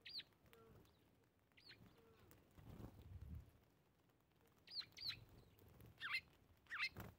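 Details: Eurasian tree sparrows feeding on a winter morning in late December give short, high chirps, some single and some in quick pairs, with soft low rustling and thumps between them.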